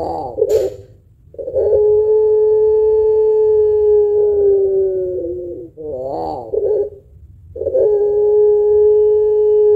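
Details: Puter pelung dove with a long, deep coo suited to stimulating other birds. A short throaty burst leads into long level coos, with a quavering phrase between them.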